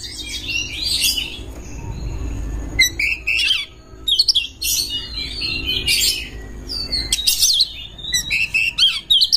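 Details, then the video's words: Oriental magpie-robin in a long, varied song meant to seek a rival to fight: dense bursts of harsh chatter, squeaky notes and whistles, with faint low background hum. "CARI LAWAN TARUNG ⚪ RELAKSASI KACER SUSAH BUNYI BIKIN BERKICAU PANJANG"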